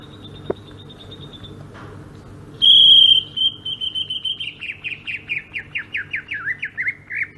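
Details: Rolling ngerol song of a greater green leafbird from Sumatra, opening with a long bright whistle that slides into a rapid, steady chain of short falling notes lasting several seconds.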